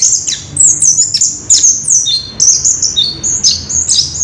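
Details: High, rolling ngerol song of an orange-headed thrush: rapid strings of thin whistles and sliding notes run almost continuously, with short dips in loudness between phrases.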